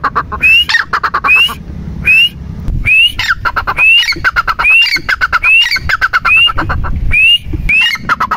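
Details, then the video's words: Loud rhythmic calling by a partridge known as teetar, each phrase a bright rising whistle joined to a clattering run of short notes, repeated roughly every 0.8 seconds over low rumbling background noise. "Teetar ki awaaz"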